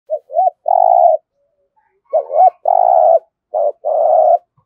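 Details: Spotted dove cooing in a local 'gù thổ' style, used to stimulate cooing: short rising-falling notes followed by a long, rough, level coo, repeated in two phrases on a silent background.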